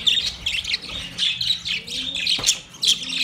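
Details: Budgerigar calling to another budgie: bursts of bright, chattering high chirps and warbles, short phrases separated by brief pauses, with a faint low hum underneath.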